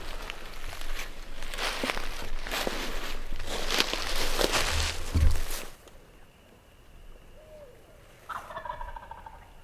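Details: Wild turkey gobblers in Tennessee on the opening day of turkey season, gobbling before daylight: a loud, rough, rattling burst of rapid pulses lasting several seconds, then quieter woods with faint tonal sounds.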